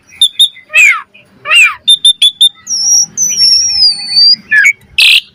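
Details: Asian pied starling in full varied 'gacor' song, used as a master recording to train birds: loud clear whistles, rising and falling slurred notes, harsh bursts, and a long smooth drawn-out whistle sliding slowly downward.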